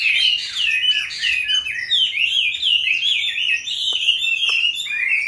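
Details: Captive Chinese hwamei, among several birds kept since wild capture for five years, delivering a loud, rolling series of slurred whistles, with repeated swooping notes in the middle and a rising whistle at the end.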